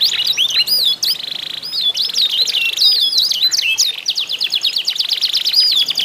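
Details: Stuffed-type canary (kenari isian) in a singing contest, sound used to prompt other canaries to sing: fast continuous high song of rapid twittering notes, sweeping chirps and quick trills without pause.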